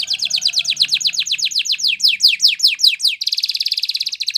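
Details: Canary singing a Spanish Timbrado training song: a steady run of loud, downward-sliding whistled notes about three per second, ending in a dense, fast, buzzing metallic roll.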